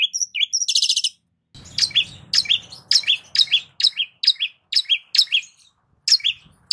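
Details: Lure song of a long-tailed shrike: a brief whistle and harsh rattling burst, then a steady series of two-part chirps, each a sharp high note dropping to a lower one, roughly once a second.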